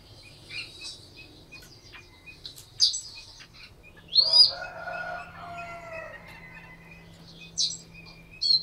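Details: Caged Chinese hwamei from Hanoi, Vietnam, giving scattered high whistles, then a loud rising sweep followed by a drawn-out, lower, buzzy phrase; quiet gaps between notes.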